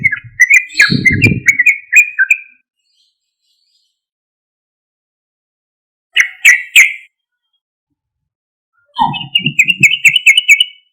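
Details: Loud sooty-headed bulbul song used to lure responses from other bulbuls: bursts of bubbly, chattering notes, a brief cluster of sharp notes mid-way and a final rippling phrase, with some low rumbling noise.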